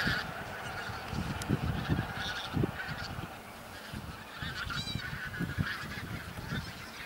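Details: Wild bean geese, a flock of a couple of thousand in a field on Texel, Netherlands, 22 November 2014. A dense, continuous chorus of overlapping nasal honks, with rumbling low wind or handling noise and sharper clicks throughout.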